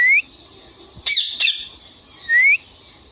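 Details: Indian ringneck parakeet making sounds: a short whistled note sweeping upward, then a harsh, raspy squawk in two bursts, and another bright rising whistle at the end.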